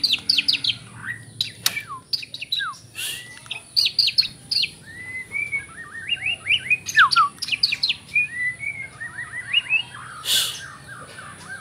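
White-rumped shama song: a rapid, varied string of sharp chirps, slurred whistles and quick trills, with borrowed phrases woven in over a thin steady high hum.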